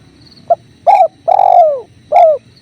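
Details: Mellow four-part coo of a spotted dove next to a running river: faint opening note, a rounded coo, one long falling note, then a final coo, against quiet flowing water.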